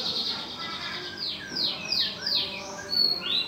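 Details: Canary in a lovebird cage giving a short passage of high descending whistled sweeps, four or five slurred notes in quick sequence over a faint background hum.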